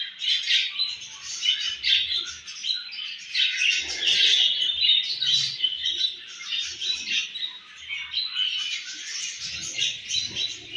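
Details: Home-bred baby budgerigars chirp rapidly, about four short, squeaky, buzzing notes a second, in irregular overlapping chatter that runs steadily, with occasional soft low bumps.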